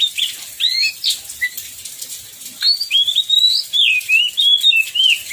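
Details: Oriental magpie-robin in song during a downpour, meant to prompt other magpie-robins to sing: short chirps, then a run of sweet wavering whistles and quick trills, with constant rain patter behind.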